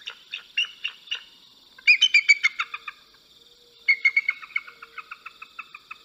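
A bald eagle gives three bursts of thin, high, piping notes, each a rapid stuttering series that slows and trails off, with quiet pauses between.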